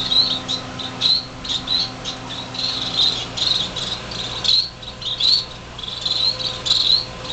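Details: Fledgling finches, six of them, calling noisily in a greenhouse in January on the day they fledged: dense runs of high chirps overlapping almost continuously, with a brief lull midway and a low hum beneath.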